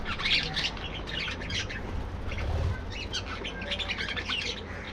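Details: Budgerigars in a breeding colony aviary during morning activity, many birds chattering at once: dense overlapping chirps, squawks and warbled twitters with occasional wing flapping and a low background hum.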